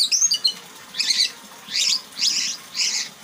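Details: White-rumped shama showing off its learned song material: short, bright bursts of high chattering notes, about five phrases spaced roughly half a second apart, over faint background hiss.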